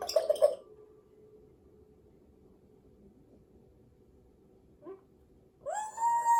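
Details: Grey parrot kept indoors: a brief burst of rough squawks, a long silence with one faint chirp, then a rising whistle that levels into a steady tone, over a low room hum.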